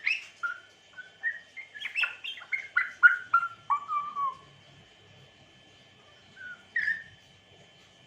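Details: A grey parrot (Psittacus erithacus) gives a rapid run of clear whistled notes, mostly falling, about four a second, then a pause and two more short whistles.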